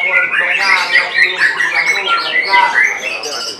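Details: Competition-class white-rumped shama in a contest in Semarang, Central Java, on 3 July 2022, pouring out loud, rich song: rapid trilled runs, sharp upslurred whistles and squeaky notes tumbling together without break.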